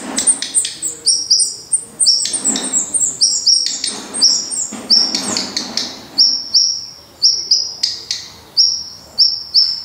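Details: Black redstart at its nest, Portugal; sharp whistled notes drop quickly from very high to slightly lower pitch, given in quick clusters of two to four, separated by short gaps and some rustling.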